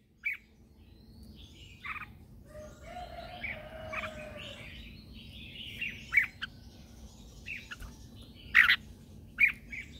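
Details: Red-whiskered bulbul lure bird singing at dawn to call others and train birds: scattered loud, sharp whistled notes over a soft background of other birds' warbling and a low steady hum.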